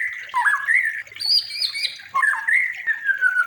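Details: White-rumped shama song used for training other birds: wavering whistled phrases broken by rough dipping notes and a higher buzzy segment midway, ending in a long steady descending whistle.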